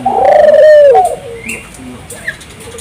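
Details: Turtle dove in full 'gacor' song, played as a lure to set local doves singing: one long, steady, low hollow coo that bends down at its end, followed by a faint short note.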